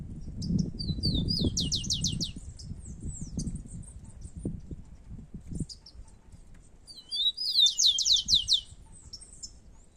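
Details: Rufous-collared sparrows, two birds competing in nature. Brief whistles then a fast series of sharp downward-sweeping notes, repeated after a gap of about six seconds, with low-pitched background noise in between.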